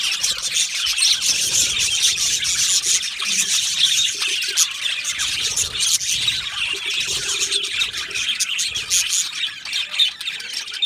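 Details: Australian budgies in an aviary colony chirp nonstop, a dense layer of high twittering and squeaky warbles from many birds, with occasional faint lower tones beneath the chatter.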